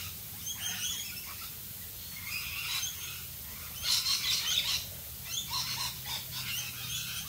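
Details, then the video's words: Australian rainbow lorikeets calling in the rain: bursts of harsh, screechy chatter and squeals, louder around the middle, over a steady hiss of rainfall. "Australian Rainbow Lorikeets Singing in the rain"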